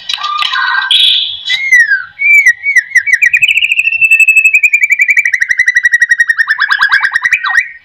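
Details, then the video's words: White-rumped shama singing a song used to get other shamas singing: harsh varied notes open, then a long rapid trill of evenly repeated notes that slowly falls in pitch over about five seconds, ending in a short rising flourish. "AMPUH buat pancingan murai"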